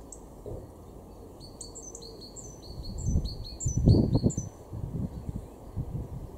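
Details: Garden great tit at Weener, East Frisia, northwest Germany, March 2023, singing a quick series of high, thin, downslurred paired notes mid-clip, accompanied by loud low thumping and rumbling bursts.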